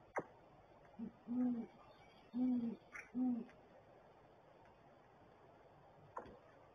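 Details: Great horned owl male at the nest, giving low, soft hoots: three short hoots near 1.5, 2.5 and 3.2 seconds, with faint clicks between them in a quiet, enclosed setting.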